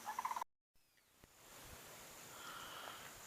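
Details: A distant Sandhill Crane calls near Shinn's Ditch, which drains into the Withlacoochee River, on a dreary, humid, muggy day: a brief rolling, rattled burst of about five quick notes, then soft outdoor hiss.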